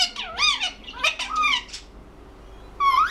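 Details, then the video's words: Pet ringneck parrot speaking in loud, nasal, squeaky syllables that swoop up and down in two phrases, followed by silence and a final rising squeal. "Ringneck parrot talking"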